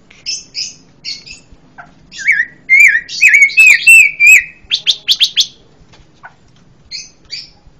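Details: Orange-headed thrush, called pancawarna, delivering a run of loud whistled slurred notes mixed with high chirps and buzzy trills, over a faint low background hum.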